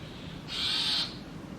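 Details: One short, harsh, hissing rasp of about half a second from brahminy starling nestlings inside a nest box as their parents bring insects.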